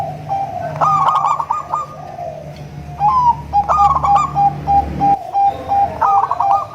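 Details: Zebra dove song meant to attract other zebra doves, local, crossbred and Bangkok types: bubbling trills followed by runs of rapid, regular coo notes, repeated across the recording.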